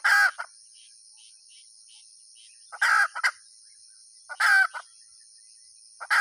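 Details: Hen giving three loud rasping squawks about one and a half seconds apart, each trailed by a brief extra cluck, with soft faint notes between and a continuous high whine behind.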